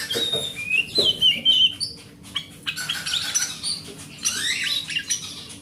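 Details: Song of a forest oriental magpie-robin, used to prompt mute magpie-robins to sing: a clear whistled warble first, a short quiet break, then dense high scratchy twittering and thin whistles.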